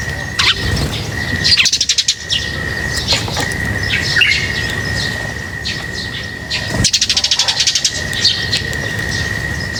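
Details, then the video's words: Lovebirds being fed chirp sporadically in high squeaks, interrupted twice by bursts of rapid wing flapping, with a constant high hum throughout. "Feeding birds, their chirping is very relaxing"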